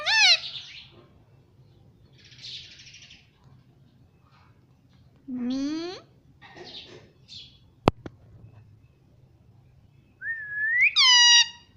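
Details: Pet parrot uttering scattered speech-like sounds: a short harmonic phrase, soft hissy sounds, a low rising syllable, one sharp click, then a loud rising whistle near the end.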